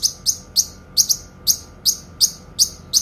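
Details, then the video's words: Rapid series of bright, high double chirps from a Kinoi, repeated about two or three times a second in a steady run. The clear song is used for training songbirds. "TEMBAKAN PANJANG, SUARA JERNIH BURUNG KINOI"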